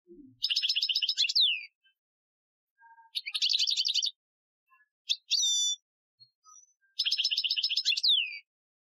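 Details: Algerian-style European goldfinch training song, 2015: four separate bursts of rapid, rattling trills high in pitch, several closing with a gliding downward whistle, spaced by short pauses.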